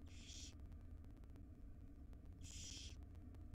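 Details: Wild barn owl chicks, five in a nest box, beg as their mother feeds them breakfast: two long noisy hissing screeches, one at the start and one near the end, separated by low background hum.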